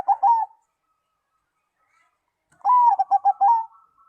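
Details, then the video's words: A zebra dove whose song draws replies from other doves gives a short burst of coos, then after a pause a longer phrase: a drawn note followed by several quick, rolling pulses. "perkutut lain langsung nyaut dan gacor bila mendengar suara perkutut ini"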